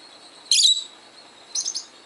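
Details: A 12-year-old male pet peach-faced lovebird, reacting to recordings of other lovebirds, gives one loud shrill chirp. A softer double chirp follows about a second later against a quiet background.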